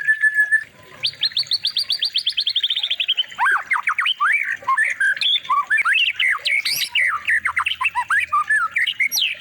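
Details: White-rumped shama song used as training material for other birds: a long, rich run of varied whistled notes, opening with a rapid rising series of sweet chips, then looping slurred phrases and fast trills, loud and continuous.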